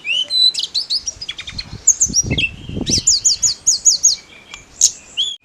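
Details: Lively snowy-browed flycatcher song, used to arouse other songbirds like magpie robins; high slurred whistles and a string of about six repeated hooked notes, with a few low dull thuds midway.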